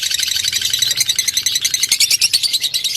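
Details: Lovebird fighter lure: a shrill, rapid, crowded chatter of high notes with a few sharper squeaks, over a low background hum.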